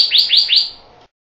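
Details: Pyrrhuloxia, a desert cardinal, giving three rising whistled slurs in quick succession, each sweeping upward and leveling off high, about a fifth of a second apart.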